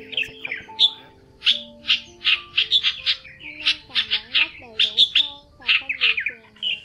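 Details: Male and female red-whiskered bulbuls calling to gather the flock, a recording meant to lure birds into traps: rapid series of sharp, loud chirping notes about every half second, with softer lower-pitched sliding tones underneath throughout.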